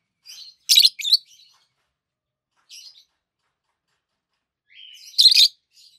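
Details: Captive adult peach-faced lovebirds, both green, chirping: a loud, harsh double chirp, a short soft note, then a rising squeak leading into another strident burst.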